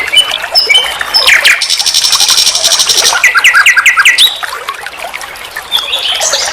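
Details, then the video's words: Common nightingale, locally sikatan londo, sings for a songbird training track. Sharp whistles give way to a long dense buzzy rattle, then a run of quick repeated chirps and fading high notes. "Masteran SIKATAN LONDO || NIGHTINGALE BIRD"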